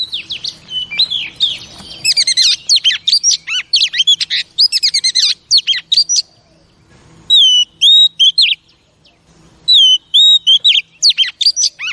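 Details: Female oriental magpie-robin singing to stir up male pet birds: long bursts of rapid, sharp chattering notes and whistled downsweeps, separated by two quiet breaks, then clean repeated upslurred whistles.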